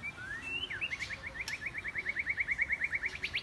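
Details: White-rumped shama singing varied forest-style song, switching voice continuously: a rising whistled slide, then a fast, steady run of short repeated notes, about six per second, ending in higher chirps.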